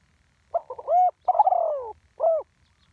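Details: Spotted dove, live recording in the Thai ground-decoy 'tor din' style, 'one kuk' pattern: a quick stuttered opening, a rounded coo, a long falling purring trill, then a closing coo. One complete phrase on a quiet background.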